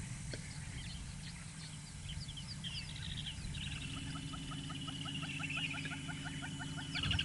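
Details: A Woodland Kingfisher gives a long, rapid series of sharp notes in African bush, with a Yellow-billed Hornbill calling and go-away-birds cackling in the background, plus a low rumble.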